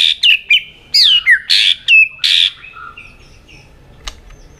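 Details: White-rumped shama singing in a competition with varied voices: a quick sequence of loud, rich whistled and slurred notes lasting two seconds, then fading soft notes and quiet.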